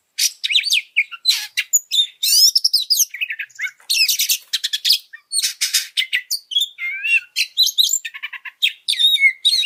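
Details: Loud, continuous oriental magpie-robin song played to train and provoke other birds: rasping trills, rapid chips and looping whistles following each other almost without pause.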